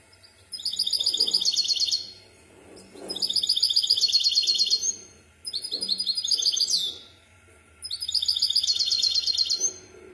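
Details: Song of a misto hybrid canary recorded to teach young birds: four bursts of rapid, high, buzzy trilling, each about one and a half seconds long, separated by short pauses.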